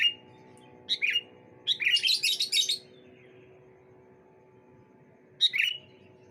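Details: Sooty-headed bulbuls calling back and forth on a bright morning: short clear notes sliding down at the start, a bubbly burst near one second, dense scratchy chattering from about two to three seconds, then quiet before a final sliding phrase.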